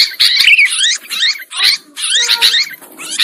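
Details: Sooty-headed bulbul giving harsh, chattering bursts of scratchy notes, each under a second, repeated several times in quick succession at a high pitch; a recording used as a lure call to attract bulbuls.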